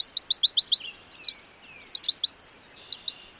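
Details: An American goldfinch sings a rapid series of high, sweet twittering notes, broken by thin descending whistles, repeated in bursts; Wisconsin.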